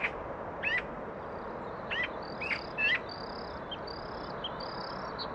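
A young Bluethroat gives short, hooked chirps every second or so, with thin high whistles in between, over a steady rushing background hiss.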